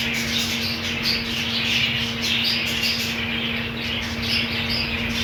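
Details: Budgerigars in a colony, fed green food, chattering nonstop with scratchy squawks and thin high chirps scattered through a dense twittering background, plus a persistent low-pitched hum.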